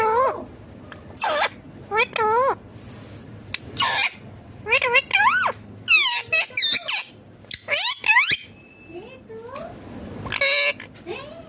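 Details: Green Indian ringneck parakeet talking indoors: a rapid run of squawky, speech-like syllables with bending, harmonic-rich tones, separated by short silences over about eleven seconds.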